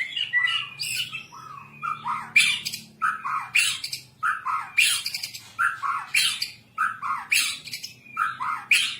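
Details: White-rumped shama song of the kind played to tutor captive birds: a lively run of short, bright, squeaky and whistled phrases, many sweeping downward, delivered in bursts with brief pauses, some harsh squawky notes between them.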